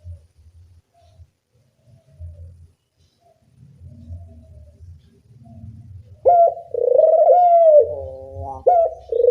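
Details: Dove calling as a lure to train doves: several seconds of near silence with faint low rumbling, then a loud, ringing, sustained coo that falls away, followed by a short rising note.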